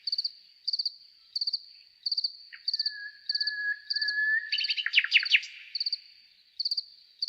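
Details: Nightingale drawing out a long, low, even whistle that breaks into a loud, fast stuttering chatter, with crickets chirping in regular pulsed groups before and after.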